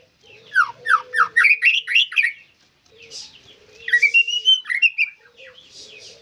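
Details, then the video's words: White-rumped shama singing two bursts of loud falling whistles and warbled notes separated by a short pause, over a faint sustained low whistle. "Murai Gacor"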